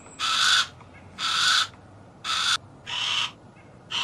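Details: Harris's hawk rasping repeatedly: coarse, buzzy screeches roughly once a second, each lasting around half a second, over quiet hiss.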